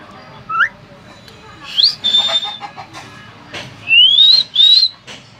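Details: Talking hill myna: a quick rising note, a sharp upward flick into a held whistle, some rough voice-like sounds, then two loud arching whistles near the end.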